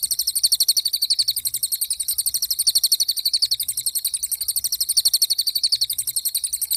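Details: Pied fantail singing in a steady stream of quick, high, sharp notes, about four per second, with slight wavering in pitch throughout.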